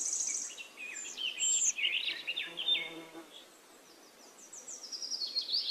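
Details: Forest nightingale song of fast, varied phrases: sliding whistles, a sharp rattling burst, a low purring trill in the middle, then rising and falling high notes, with more birdsong in the background.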